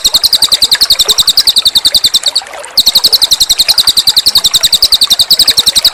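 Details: Cililin bird in lively song, used as a master tutoring recording: a fast, steady train of high, sharp chirps repeated about three to four per second, with one brief pause.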